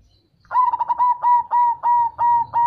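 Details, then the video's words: Cemani zebra dove with a deep, bass voice, sung to prompt local and crossbred doves to answer: a steady run of about eight cooing pulses, each a short burst with a held tone, close and clean against a quiet background. "Perkutut Cemani Suara Ngebas Bikin Perkutut Lokal Dan Crossing Nyaut"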